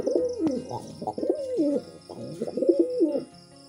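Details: Pigeon cooing while mating, a quick run of short gurgling notes that dip and rise in pitch, bursts of rolling coos packed closely together over a few seconds.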